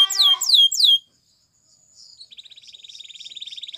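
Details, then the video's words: A Spanish Timbrado canary sings three loud, sweeping descending notes for training canaries, followed by a second of silence, faint soft notes, and then a quiet, rapid metallic trill building in volume. "The Canary's Deadly Seduction Invites Your Canary To Sing Immediately"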